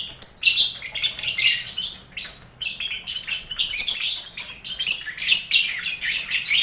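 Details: Lovebirds in a busy colony cage shared with finches and quail, kept to train competition lovebirds; dense shrill, high chirps and squeaky bursts tumble over one another almost without pause, with brief gaps and faint wing flutters.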